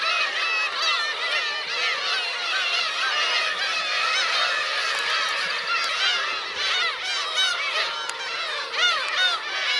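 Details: Black-tailed gull colony with parents and chicks on Kurosaki coast, Teuri Island, Hokkaido, 17 June 2021; crowded chorus of rising-then-falling mewing cries, many birds calling at once, busier toward the end.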